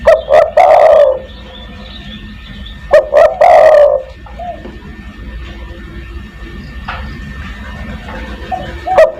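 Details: Spotted dove cooing in the 'kuk 1' style, meant as a lure to call other doves: two loud phrases, each of two short clipped notes and a drawn-out falling coo, about three seconds apart, with soft quieter coos between.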